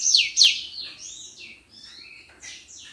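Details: Energetic common iora (senger) song for training other songbirds: two loud, sharp high notes open, followed by softer rising and falling whistles and thin warbled phrases.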